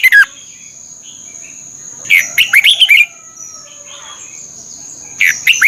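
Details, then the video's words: Red-whiskered bulbul song, Thailand, played for morning training sessions: a clipped ending, then a full phrase of five or six fast, liquid whistles, a pause with faint softer notes, and another phrase starting at the end. "เสียงนกกรงหัวจุก สำหรับต่อ หรือ เปิดให้นกคึก เสียงเพราะๆ ฝึกหงอนเป็นเวลา"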